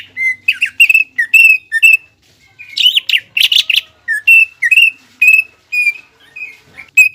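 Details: Greater green leafbird singing to stir up rival leafbirds into peak arousal. A dense, varied stream of sharp chirps, twisting whistles and short buzzy bursts follows in quick succession with hardly any pause.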